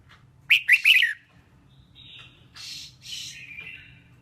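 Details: Female red-whiskered bulbul singing, used to stimulate males. Three loud slurred chirps, a thin level whistle, then two harsh buzzy bursts ending in a falling whistled tail, with low hum behind.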